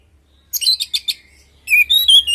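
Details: Orange-headed thrush song used as a lure to make other birds answer and sing: two bursts of bright, rapid chirps and clear whistled notes, the second with slurred high whistles.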